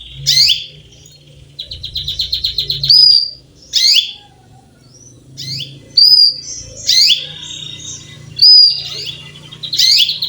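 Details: Calling female canary seeking a male: a run of sharp, high chirps every second or so, interspersed with quick buzzy rattling trills and brief thin whistles.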